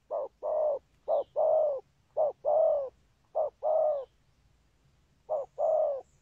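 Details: Spotted dove cooing in repeated phrases, each a short low note followed by a longer hoarse, even coo, the pairs coming roughly every second with brief gaps between groups.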